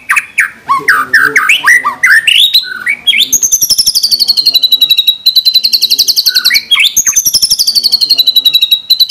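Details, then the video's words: White-rumped shama singing: rich, varied whistled phrases give way to a long, fast run of sharp, high repeated notes, about four a second, broken by brief whistles. "Murai Batu Gacor Full Isian Tembakan Mewah"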